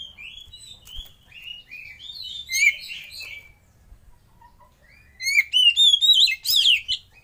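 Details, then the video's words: Oriental magpie-robin lure song for prompting others to sing: a first phrase of slurred whistled notes, a pause, then a louder, faster flurry of high sweeping whistles and sharp trills. "Suara Pancingan dan Masteran Kacer"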